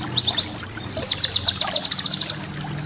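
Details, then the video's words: Cage-bird training song of a white-eye: a quick run of thin, high downslurred whistles that builds into a dense, evenly repeated rapid series of sharp chirps before fading out. "masteran burung pleci"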